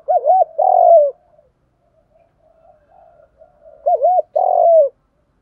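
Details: Lure calling of a female spotted dove, aimed at attracting males, in the one-ending style. Two matching phrases of rounded coos, each a quick double note then a longer note. A soft murmur sits between them.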